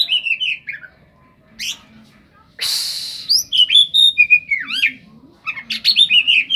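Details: Kacer song heavy on cetdet-style fill-ins: warbled whistles, a brief loud hissing rasp, then a flowing run of fluty slurs and twittering notes with a dip-and-rise phrase.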